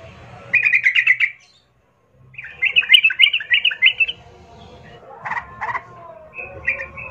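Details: Yellow-vented bulbul singing a provoking 'pancingan' lure song: three separate bursts of rapid, bubbly chirped notes, the last lower and harsher, with low rumbling noise underneath.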